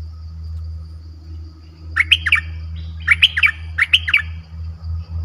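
Streak-eared bulbul giving three quick bursts of sharp, bubbling, squeaky notes about a second apart, over a steady low electrical hum.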